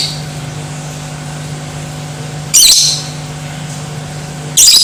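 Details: Lovebird sound used to provoke other lovebirds into aggression and singing: two short, harsh, screechy bursts about two seconds apart over a steady low electrical hum.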